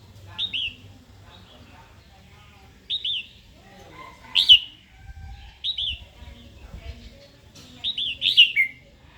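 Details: A female red-whiskered bulbul calls to excite a wild-caught male into song and combat. Ringing chirps slur downward, delivered in ones and twos every couple of seconds, with faint low rumbling between.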